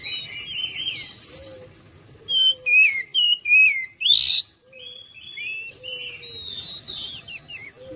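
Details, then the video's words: Oriental magpie-robin singing as a lure to draw responses from other birds: a soft warbled opening, then a loud run of five sharp, downslurred whistles, followed by quieter varied whistled phrases. "PANCINGAN KACER ANTI BISU DI JAMIN CEPAT RESPON GACOR"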